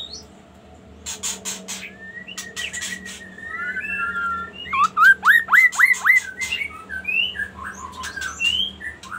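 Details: Magpie-robin with varied whistles and slurs that build into a rapid series of loud upsweeping notes, then tumbling jumbled warbles. Clicky ticking and a faint low hum run underneath.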